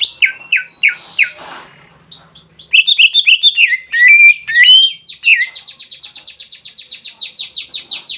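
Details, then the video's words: Energetic greater green leafbird song meant to stir other leafbirds to sing: short downward whistles, a tumbling mix of varied chirps, then a long steady series of quick, high repeated notes. "CUCAK IJO SUPER GACOR FULL BONGKAR ISIAN BUAT PANCINGAN DAN MENAIKAN EMOSI"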